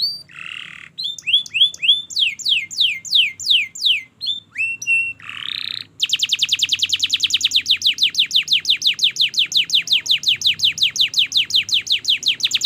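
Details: Long, vigorous canary song used as a lure for learning canaries: nasal buzzy notes and short slurred phrases, then a sustained very rapid trill of sharp downward notes lasting several seconds.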